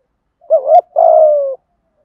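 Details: Spotted dove giving a thúc gù, giọng thổ coo meant to stir wild birds. A quick wavering two-part note runs straight into one long, steady, gently falling coo, clean with no other sounds.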